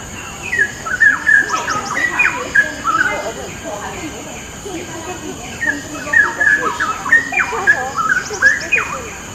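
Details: Cucak rowo, the straw-headed bulbul, in full training song for other birds: loud, liquid, gurgling phrases with quick rising and falling notes, given in repeated bursts with short gaps, over a constant faint hiss.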